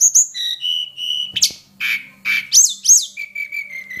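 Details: Hill prinia lure call used for tutoring songbirds: a quick string of high whistled notes, some steady and flat, some sharply rising and falling chirps, ending in a run of short repeated chips that drift slightly lower.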